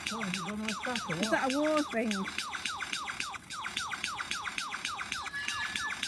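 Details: A lyrebird at Healesville Sanctuary, Melbourne, Australia, pours out rapid, downward-sweeping whistles, three or four a second, like an electronic alarm, while a man's voice speaks briefly at the start.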